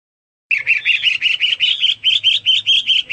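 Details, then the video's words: Hwamei singing loudly, probably a pet bird: a rapid run of about sixteen rising, slurred whistled notes at a steady pace, each note bright and looping, delivered without a break. "Burung Hoa Mi gacor"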